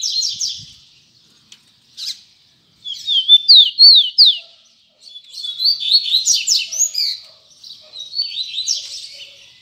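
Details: A double-collared seedeater's tui tui zel zel song, repeated high phrases of zigzag down-slurred notes and dense rapid chirps, several bursts with brief silences between them.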